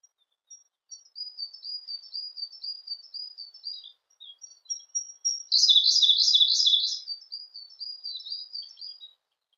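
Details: Singing Siberian blue robin: several seconds of soft, high, thin notes, then a loud, rapid, descending trill of about a second before fading twitters.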